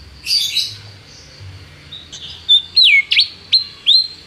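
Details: Canary recorded as a tutor for a young canary: after a soft rough start, a few loud separate notes, sweeping downslurs and sharp upward chips spaced about half a second apart.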